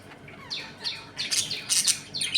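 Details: Budgerigars in a home colony, eating, playing and fighting, give overlapping high chirps and harsh squawks, with fast descending chirrups then bursts of scratchy noise; several birds call at once indoors.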